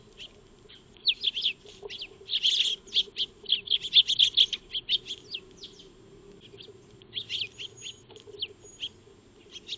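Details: Eurasian tree sparrows, known locally as maya birds, feeding in a backyard, caught by a solar-powered wildlife trail camera; bursts of short, bright chirps cluster into busy chattering runs, then thin out to scattered tweets.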